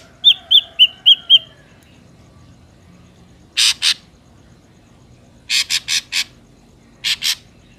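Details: Ashy drongo song used as a bird-trapping lure: five quick high whistles, then spaced groups of harsh, buzzy rasping notes in twos and fours.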